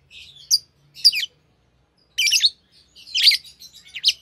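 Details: Pair of green Fischer's lovebirds, a type noted for long songs; scattered shrill chirps and raspy bursts with gaps between them, plus a faint low hum underneath.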